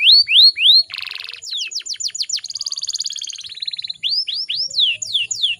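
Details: Female canary in breeding condition, used to make males sing quickly: arched whistled notes, a buzzy burst, a quick series of falling sweeps, a rolling trill, then more arched whistles.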